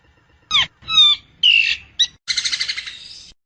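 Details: Nias hill myna singing, recorded for tutoring or luring birds: a harsh note, whistled descending slurs, a rising then falling whistle, and a closing rapid pulsing rattle.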